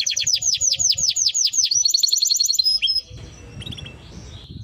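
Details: Timbrado canary song of steady, repeated downslurred whistled notes, about three per second, shifting into a quicker higher trill, then stopping, leaving a low background rumble and faint chirps.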